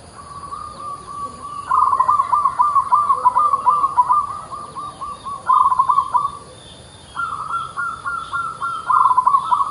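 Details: Local Indonesian zebra dove singing actively: long mellow cooing phrases near one pitch, each a fast stuttering run of soft pulsed notes mixed with held tones, with a brief pause before the final phrase; steady faint background hiss.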